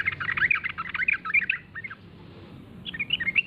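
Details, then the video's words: Lure call of a yellow-vented bulbul to provoke answers from others: a dense, tumbling chatter of warbled notes, a brief lull, then a renewed bubbling phrase. "suara pancingan trucuk gacor"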